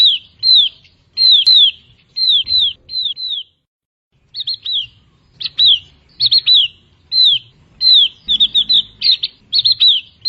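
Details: Javan grey-throated white-eye, a montane forest bird, repeating high down-slurred whistles in pairs and triplets, a short silent break near the start, then quicker clustered notes toward the end; faint low rumble underneath.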